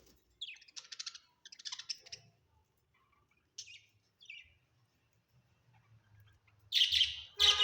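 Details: Home-kept budgerigars make scattered short chirps and brief buzzy chatters with pauses between, followed by two loud harsh bursts at the end, over a faint low hum.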